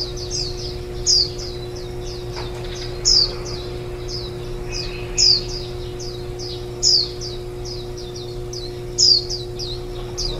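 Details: Nest of warbling white-eyes, chicks fed from morning to evening on 23 July 2018, day before fledging: steady run of high chirps with a louder sharp note about every two seconds, over a low constant hum.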